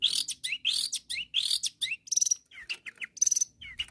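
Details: Long-tailed shrike in full song meant to call out rivals: a varied mix of rising and falling whistles, harsh rattles and quick high trills, delivered almost without pause.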